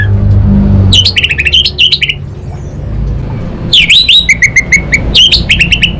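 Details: Orange-headed thrush from North Bali, Indonesia, in full energetic song: quick bursts of chattering, clicking notes mixed with short whistled slurs, in two fast phrases separated by a pause, with a faint low rumble behind.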